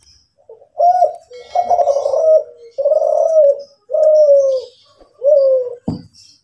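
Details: Kelantan-type spotted dove kept in care, cooing: a steady series of low, smooth coos, some rougher and wavering, spaced about a second apart, ending with a brief sharp knock.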